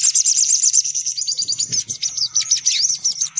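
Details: Lure recording for attracting sunbirds: quick, high, sharp chirps tumbling over one another, then looser twittering trills with downward-sliding notes, over a soft low background hum.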